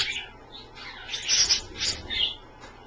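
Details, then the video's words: An Australian parrot calling during a dish bath indoors: a short run of three or four bright, high chirped notes over faint background hum. "the Aussie birds take a bath"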